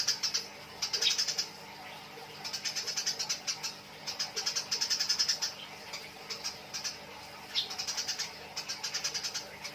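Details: Fighting Eurasian tree sparrows chattering ('nyrecet'), recorded to tutor songbirds: bursts of quick, high, metallic chirps, each of five to ten notes, broken by short pauses, with a faint constant hum underneath.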